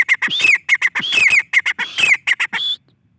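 A grey francolin gives loud, harsh, ringing notes in quick repeated bursts, a few rising shrill phrases mixed in, then stops abruptly.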